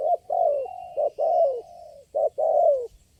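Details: Responsive spotted dove, the only bird calling at the site, facing a lure bird: loud low coos, short notes alternating with long falling coos, with a faint high whistle in the background.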